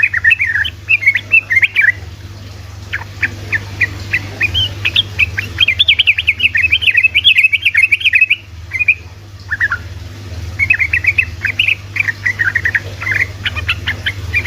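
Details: Continuous rapid song of a sooty-headed bulbul, played to provoke reluctant bulbuls into singing: bursts of fast, chattering, bubbly notes in long runs with brief pauses, a low electrical hum underneath throughout.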